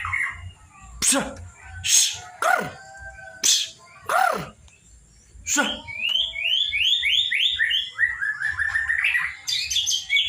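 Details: Young white-rumped shama at fledgling stage, from Kota Agung, Lampung: several loud knocking sounds, then quick runs of downslurred whistled notes, repeated in series, ending in a rising twittering phrase.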